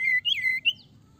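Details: Sirtu calling to set other birds singing: three clear, loud whistled phrases, a level note, a rising-then-falling swoop and a short upslur, within about a second.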